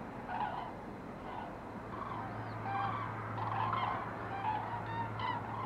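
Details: Cranes flying over in October, on the 19th, giving bugling calls at intervals over a steady low hum of distant traffic or engine noise.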